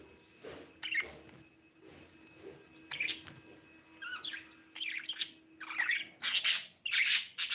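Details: Budgerigar chirping: scratchy, warbling chirps and short squawks in irregular bursts that grow louder and denser toward the end, over a faint steady background tone.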